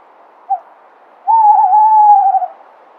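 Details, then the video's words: Tawny owl hooting: a short soft note, a pause, then a long wavering hoot lasting over a second, clear against a quiet background. "Tawny Owl - Sound, Call, Song, Voice, Hooting"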